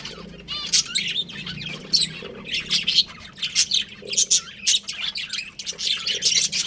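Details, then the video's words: Budgerigar breeding pair in a home setting, giving busy chirping chatter; rapid raspy squawks and short trills follow one another almost without pause, over a faint low hum. "Adorable Budgies Chirping Sounds"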